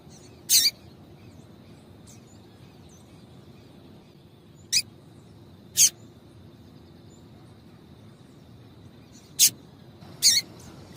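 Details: Female double-collared seedeater calling to stimulate males to sing: sparse, sharp high chips, single or paired, separated by long pauses of several seconds, over a steady faint background hiss.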